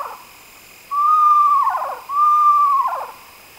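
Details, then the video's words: Two clear whistled screech owl notes, each held level then sagging into a quavering, descending whinny, the pair spaced about a second apart over a quiet background. "Sounds of the Megascops"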